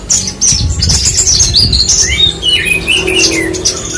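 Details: Branjangan, or Horsfield's bush lark, delivering fast high chirps, then a run of descending and rising slurred whistles in a lower register, over a low rumbling background with a faint steady tone.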